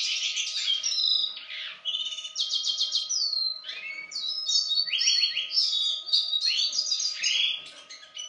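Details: Song of a male Yarrell's siskin born in 2016, practising its phrases: a dense high medley of rattling trills, clear whistled slides and quick chatter, repeatedly broken by short pauses. A low constant hum is present throughout.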